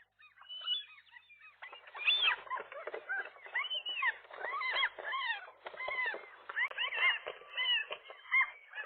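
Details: Nesting gull pair on a roof, morning of 4 April 2023, fighting off a single intruding gull that tried to get between male and female; loud harsh arched calls, overlapping and repeated rapidly, rising in intensity after a quieter start.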